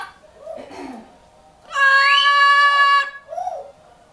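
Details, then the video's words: A parrot sings one loud, steady, strongly harmonic note held for about 1.3 seconds with a slight upward slide, framed by softer, lower murmuring sounds before and after. "the parrot sings better than ever before!"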